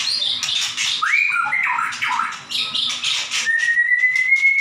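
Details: White-rumped shama in 'gacor nembak' song: rapid chatter and sharp upslurs give way to a long, steady, slowly rising whistle at the close.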